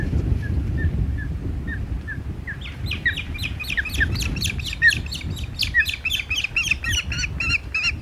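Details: Ospreys at the Hog Island nest on 21 June 2020 during a second fish delivery to a chick. Spaced thin whistles lead into a rapid, steady series of sharp repeated chirps over strong low wind rumble.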